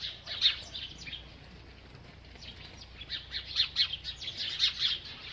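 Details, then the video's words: Bird chirping while eating. A few bright chirps open, then a quieter stretch, then a lively series of high, sharp chirps toward the end. "This Happy Bird Won’t Stop Eating and Chirping"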